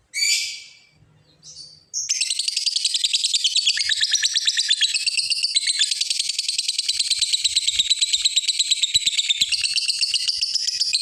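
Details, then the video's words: Lovebird calling a rival with long ngekek chatter: two brief harsh screeches, then a sustained run of fast, high, buzzy pulses lasting about nine seconds without a break. "suara Burung lovebird ngekek panjang manggil lawan"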